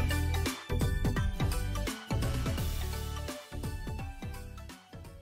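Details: Energetic instrumental music with strong beats and bright plucked notes plays throughout.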